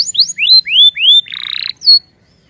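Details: Canary, presented as giving warning calls: a quick run of upward-sweeping whistled notes, a buzzy rattling trill, then a final high falling whistle, all high-pitched and close.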